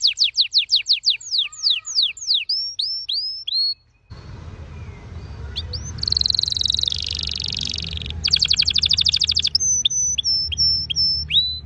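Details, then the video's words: Red Factor Canary with bright orange-red plumage singing: falling whistled sweeps and slurred notes, then a rolling trill, fast stuttering trill and short level whistles over a noticeable background rumble. "Your canary Will Sing Unstoppably || The master singer || Best canary 2026||very fast singing canary"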